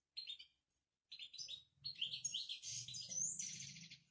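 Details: "Babtaba" song of a Moroccan European goldfinch: a short twittered burst, a pause, then a dense, buzzy, tumbling twitter ending in a clear upward-sliding whistle, over a low hum.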